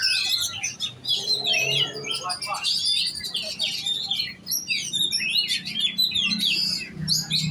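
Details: Competition-trained oriental magpie-robin singing a varied medley of sharp whistles, trills and chattering notes, with a brief low murmur early on.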